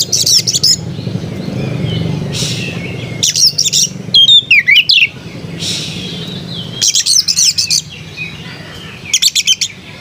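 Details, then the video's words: Melodious Oriental magpie-robin (kacer) song in scattered bursts: rapid high chattering clusters and one clear whistled, wavering phrase near the middle, with a low continuous background hum throughout. "Burung kacer bersuara merdu"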